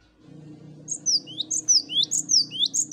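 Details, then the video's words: Many Cinereous tits singing together (ombyokan), used as a master recording to make birds sing: a lively run of high, sharp, down-slurred whistles repeated in fast pairs over a low steady hum. "Masteran Gelatik Batu Ombyokan Gacor Bikin Gampang Bunyi"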